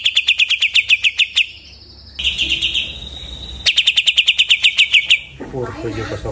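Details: Greater green leafbird after its moult: two bursts of fast, sharp chirps with a sustained steady whistle between, ending with low rustling noise.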